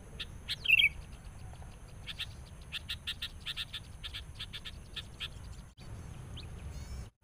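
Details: Wild sooty-headed bulbul, lured by a decoy bird while trapping, calling agitatedly on meeting a rival: one brief bright whistled note, then a long run of short dry chattering ticks several per second, over a steady low hum.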